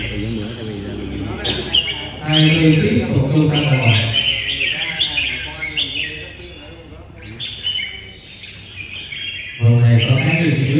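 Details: Red-whiskered bulbul being trained as a fighting/competition songbird gives bright, chirpy whistled phrases in quick bursts, partly masked by a man talking steadily over it.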